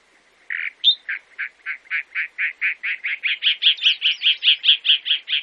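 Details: Chalk-browed mockingbird from Brazil repeating a harsh, burry note about four times a second, rising gradually in pitch and volume, with one short high whistle near the start.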